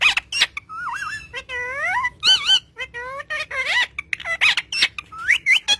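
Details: Green parrot chattering to its owner in a dense stream of tonal, speech-like sounds, with bending and wavering pitch, some short sharp clicks, and rising notes toward the end.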